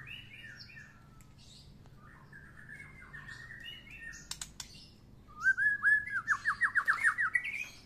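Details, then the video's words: White-rumped shama sunbathing after its first moult; soft warbled notes at first, then a fast run of rising whistled notes repeated about three times a second, with brief clicks midway. "Murai batu habis mabung pertama kali kena jemur"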